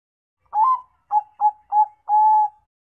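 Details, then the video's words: A zebra dove gives five soft, mellow coos in about two seconds: short rolling notes ending in one longer drawn-out coo, with nothing else heard. "SUARA.mp3 PERKUTUT"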